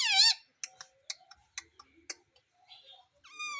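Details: Indian ringneck parrot known for saying "Mummy": a loud, buzzy voiced call opens, then a run of sharp clicks and soft chatter, ending with a steady harmonic tone.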